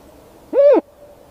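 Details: A single chirp from a Snowy owl: a short, loud, arched harmonic note lasting about a quarter second against a quiet background.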